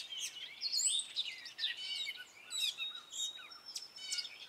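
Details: A male Gray catbird in spring pours out a varied song of short scratchy phrases, mews and a long thin whistle, with notes often repeated and mimicked from other birds.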